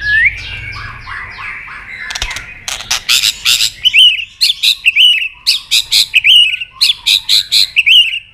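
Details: White-rumped shama singing a long training song with many forest voices and tạch clicks, tail-flicking; a rising whistle opens, then a click burst and a steady run of sharp, evenly spaced whistled notes, roughly three per second.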